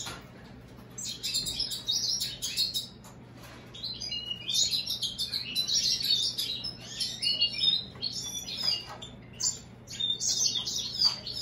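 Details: American goldfinch crossed with European greenfinch, a hybrid bird singing: a long rambling twitter of high scratchy chirps and trills in bursts, with brief pauses and a faint steady hum behind.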